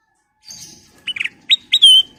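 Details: Ruby-throated bulbul (kutilang emas) song used as a lure to attract other birds: a soft lead-in, then bright, clear whistled notes in quick succession, the last one drawn out and slightly falling.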